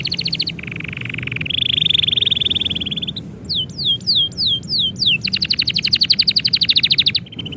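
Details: Canary singing as its owner prepares to leave, with a low rolled trill, a sustained buzzy warbling tour, a handful of sharp falling whistles, then a rapid pulsed trill ending in a brief steady note.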